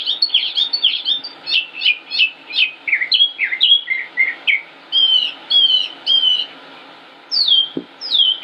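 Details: Northern mockingbird, Concord, North Carolina, May 2016, in long varied song: rapid chirps and buzzy notes, then paired downslurred whistles, a pause and two sweeping high notes.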